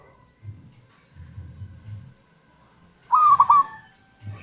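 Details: Local zebra dove lure song: after soft low thumps, a single short burst of three quick, high cooing notes.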